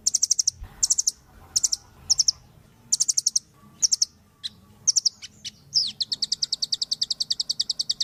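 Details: Velvet-fronted nuthatch singing energetically as a song-training recording: a row of short, rapid bursts of piercing high notes, a few isolated chips, then a sustained fast trill for the last two seconds.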